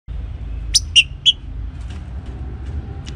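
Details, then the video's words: A green-winged saltator singing in the morning gives three short, clear whistled notes in quick succession over a low hum of distant traffic. "TRINCA FERRO BARUC CANTANDO PELA MANHA"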